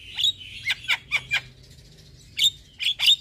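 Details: Black-winged starling song used as a lure for stressed, quiet captive birds: clusters of sharp high chirps, a clear pause in the middle, then more bright chirps.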